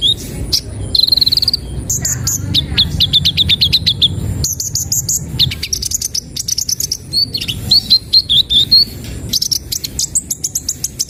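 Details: Sunbird, known locally as kolibri ninja or konin, in isian song style: rapid high thin chirps and trills, quick bursts of clicking notes alternating with sweet twittering phrases, some sharp whistled notes, continuous and loud.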